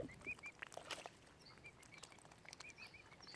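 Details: Baby mute swan cygnets on Lough Neagh at Oxford Island Nature Reserve, Ireland, give short, high, slightly arched cheeps several times a second, some faint higher notes over a quiet outdoor background.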